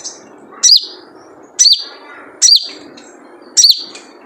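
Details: Wild sunbird (sogon) giving its typical 'jrejet cuit' call, used as a lure: four sharp, very high chirps with a quick downward twist, spaced roughly a second apart, over faint low background hiss.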